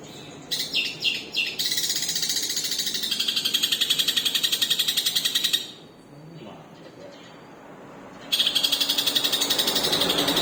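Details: Long-tailed shrike with a split beak, singing with a rich repertoire: a few sweeping notes, then a long, fast, buzzy pulsed run that stops, pauses and starts again, over background noise.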